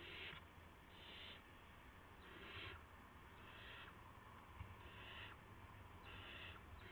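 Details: Owls at night on March 19, 2016, amid adults bringing mice and a gopher to owlets. Moderately soft, rasping hisses repeat roughly every one to two seconds above a steady low-pitched hum.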